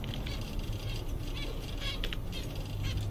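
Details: Seven zebra finches, content on a summer day, giving short nasal honking calls in quick, irregular succession over a steady low hum.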